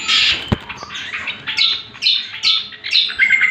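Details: Greater green leafbird song, played as a lure and master for other birds: a string of harsh squawky phrases and sharp downslurred notes, with one loud click near the start.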